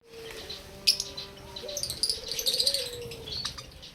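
Budgerigars chatter with bright, scratchy chirps and warbles over a low steady hum.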